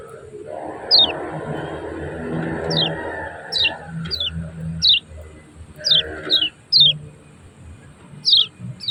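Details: Lemon-bellied white-eye from Lombok, a ciak-ciak chirping recording used to train and provoke other birds to sing. Sharp, high, downward-sliding chirps come singly or in pairs at irregular one-to-two-second gaps over a low rumbling background.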